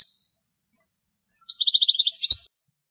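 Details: European goldfinch song recorded in the wild in Greece, where a female was feeding on insects trapped in a spider web. A faint high note opens, then a quick one-second run of bright, high twittering notes ends in a sharp chirp.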